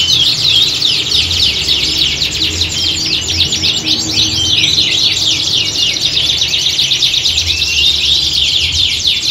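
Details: Several canaries in full chorus, recorded to mimic a singing-competition atmosphere for training; a continuous wall of bright, fast trills and sweeping chirps overlapping without pause, steady loudness throughout, soft low rumble in the background.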